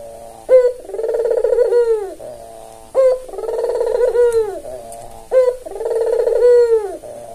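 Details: Albino Barbary dove with white plumage and red eyes, tame and an eager caller, serving as a lure. Three calls spaced about 2.4 seconds apart: a brief sharp upward note, then a drawn-out rolling coo curving downward.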